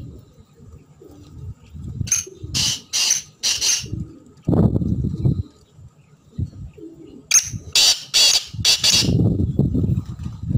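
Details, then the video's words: Black francolin calling twice: each phrase is four harsh, grating, buzzy notes in quick succession, with a pause between the two phrases. Low rumbling background noise runs throughout. "kala teetar ki chhk and awaz"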